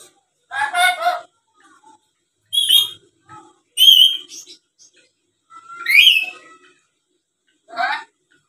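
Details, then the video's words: A tame black-capped lory that chatters and mimics speech, used as a calling lure to provoke responses from others. Harsh buzzy squawks mix with bright whistled notes and one upward-sweeping whistle, spaced by short pauses. "Suara Asli Burung Nuri Paltem Gacor Pintar Ngomong dan Ngoceh² Buat Pancingan"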